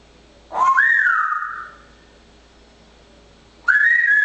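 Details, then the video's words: A parrot, very chatty in fine weather, gives a long clear whistle that swoops up and holds steady, then starts another rising whistle after a silent pause. "Manus de papegaai is wel erg druk met dit mooie weer."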